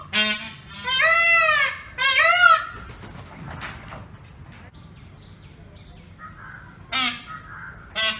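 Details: Peacock, the Indian peafowl, gives two loud harmonic wailing screams in quick succession, then quieter background with faint chirps before more sharp honking cries near the end.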